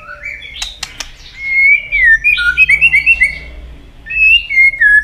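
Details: White-rumped shama fighting song, with the bird tail-flicking to provoke: a few clicks, then a rapid series of bright looping whistles, a pause, and more warbled whistles over faint low hum.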